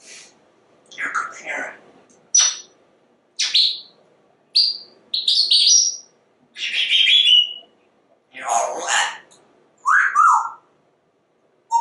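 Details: Chatty male African Grey Parrot kept at home; a string of short squeaky chirps, clicks and sharp upward squeals roughly once a second, mixed with a few raspy speech-like sounds, in a quiet indoor space.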